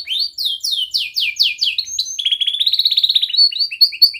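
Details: Juvenile-tutoring song from a young canary: six loud, downward-sweeping whistled notes in steady succession, followed by a fast, tightly packed trill of short repeated notes and a few closing chirps.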